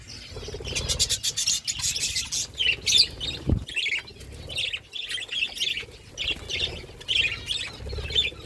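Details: Pet budgerigars eating and chirping, with rapid high twitters and short warbled phrases, scattered broadband clicks and scrapes, and one low thump midway.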